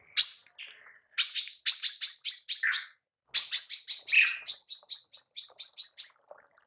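A female manggar gives rapid bursts of sharp, high chirps, about four or five a second, broken by a few lower buzzy notes.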